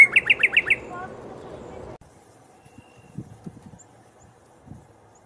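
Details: Northern cardinal giving five quick, sharp slurred whistled notes in rapid succession, then near silence with only faint low thumps and rustles.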